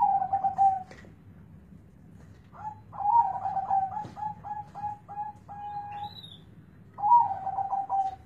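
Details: Zebra dove with a deep bass voice, delivering quick pulsed coos. One phrase breaks into a long string of separate, evenly spaced notes before another full rolling phrase follows. A faint higher call is heard once.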